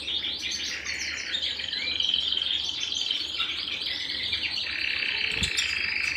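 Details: Singing at home, a canary pours out a continuous, dense, rapid warble of trills and chirps, rolling without pause over a low steady hum.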